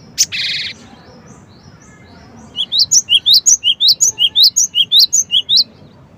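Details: Cinereous tit opening with one short buzzy rasp, then after a pause a fast, ringing song of about fifteen sharp, high two-part notes, repeated evenly roughly five times per second for three seconds, over quiet background twitters.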